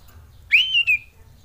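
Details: Male common iora in mating mood, used as a lure to stir lazy birds into singing: a single clean whistle, sharply rising then held level and gently falling, lasting about half a second over a quiet background.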